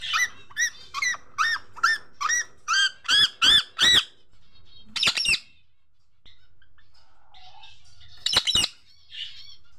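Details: Hand-tame pet Indian ringneck parakeet giving loud, harsh squawks, about ten in a quick even series, then a pause, and later two more sharp squawk bursts, in a quiet setting.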